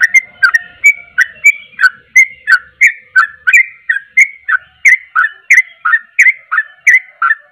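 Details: Rapid sooty-headed bulbul song of around twenty crisp, mellow whistled notes at a steady pace, each a quick downward slur, with a faint low hum in the background.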